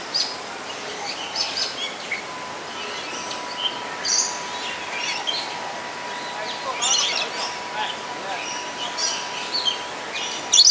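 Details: A pair of black-capped lories gives harsh, screechy bursts every second or two, with a steady faint hum and a few softer chirps behind them.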